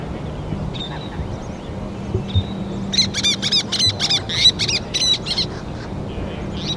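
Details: Least terns with chicks on a river sand bar, adults bringing fish to the young; a thin whistled note sounds twice, then a rapid burst of harsh, stacked chattering calls follows over low wind rumble.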